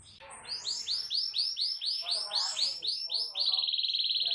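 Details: Canary with a loud, powerful song aimed at provoking other canaries: repeated arched whistled notes in quick succession with a faint low hum beneath, ending in a rapid continuous trill.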